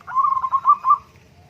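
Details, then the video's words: Zebra dove (perkutut) giving a single rapid phrase of soft, rolling coos, six or seven pulses on an even pitch lasting about a second, with a quiet low hum behind. "terapi Burung Perkutut Murung Dan Malas Bunyi"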